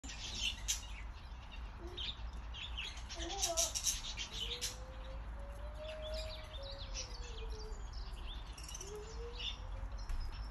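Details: Newborn budgerigar chicks, one hatched that day and the others only a few days old, give thin, high chirps and peeps over a steady low background hum.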